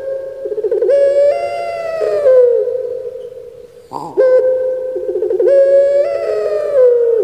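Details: Kept puter pelung turtle dove, Java, Indonesia, repeating two long, resonant, droning coos, each opened by quick stuttered notes and closed with a falling slur.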